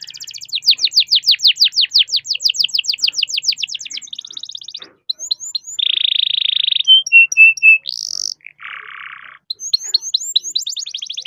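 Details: Domestic canary's long roll song, played to coax other canaries into singing. It opens with a fast series of sweeping notes lasting about four seconds, then brief whistles, a dense buzzy trill, short chips and another rapid sweeping series.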